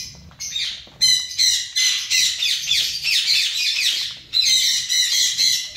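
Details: Zebra finches calling in a colony, a near-continuous chorus of nasal, harmonic beeps after a quiet first second, with a brief drop just past four seconds.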